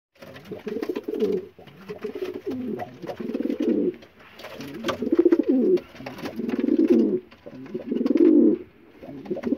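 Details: Young domestic racing pigeons in 2022, in summer before their racing season, coo in a garden loft: low, throaty rolling coos in overlapping bursts every second or two, with faint fluttering and clicks in an enclosed space.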